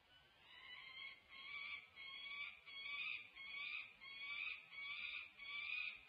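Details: Peregrine falcons, three females visiting their nest tower at UC Berkeley on 20 June 2024: harsh, harmonic wailing calls repeated in pulses a little under a second apart, against a quiet background.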